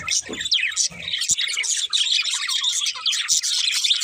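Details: Multiple budgerigars chirp and chatter: bright sliding whistles and squeaky notes tumble over one another in a steady stream. A few soft low bumps occur in the first second.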